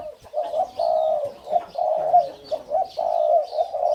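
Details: Caged male Spotted Dove of the 'sai din' hybrid line, twin sibling of the breeding father, crowing while walking and hopping: a steady series of low, hollow, drawn-out coos with brief gaps between phrases.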